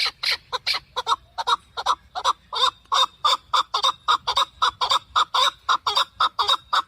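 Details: Hunting call of a male partridge: loud, coarse chuck notes repeated about twice a second in a steady, slightly uneven rhythm for seven seconds.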